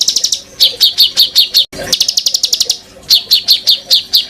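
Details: Bird singing varied filler phrases for songbird training: quick clusters of high, bright chirps in uneven bursts, with a short pause midway, then more rapid chip series.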